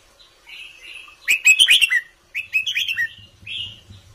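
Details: Red-whiskered bulbul in an Indo-style counting song, kept caged: soft whistles lead into a loud tumbling phrase of bright, chattering warbled notes, then a second shorter phrase and a trailing whistle, with a faint low hum.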